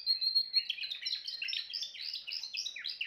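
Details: Timbrado canary opening with a sustained pure whistled note, then breaking into quick descending rolled phrases repeated in a lively sequence.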